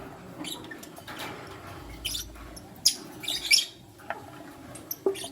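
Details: Sparse chirping from lutino lovebirds, a male with two females: scattered short, high squeaks, with a small cluster of sharp chirps in the middle and a few faint notes after, against low background noise.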